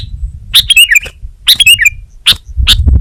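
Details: Kutilang, or sooty-headed bulbul, gives two bright bubbly whistled phrases about a second apart, each slurring downward, followed by single sharp clicks, over soft low noise.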